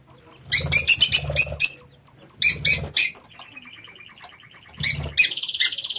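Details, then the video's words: Pet lovebirds in an aviary utter loud harsh squawking bursts in quick clusters, separated by a softer rapid chattering trill and a buzzy sustained note at the end. "Inseparabili pappagalli"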